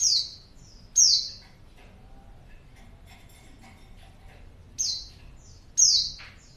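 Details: Female white-eye calling as a lure for a male, high falling notes in pairs at start and end with a quiet stretch in the middle holding faint scattered chirps and rustling.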